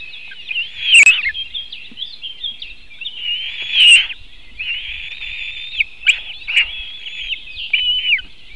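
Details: White-tailed eagle recorded at the nest by a Latvian webcam in 2018: loud shrill squeals at about one and four seconds, then a run of drawn-out whistled notes and sharp clicks. Many other birds chatter in the background.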